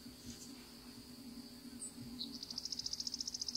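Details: Savannah sparrow, a winter visitor to Florida, perched still and calling: one sharp high chip, then a fast, even, buzzy trill of high pulses lasting about a second, over a steady high insect-like hiss and low hum.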